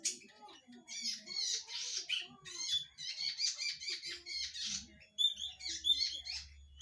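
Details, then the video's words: Red-headed zitting cisticola with a loud voice: rapid, dense chattering of sharp high twittering notes in irregular bursts, some squeaky and buzzy, with short pauses and a faint low hum late in the recording. "Burung cici padi Kepala merah"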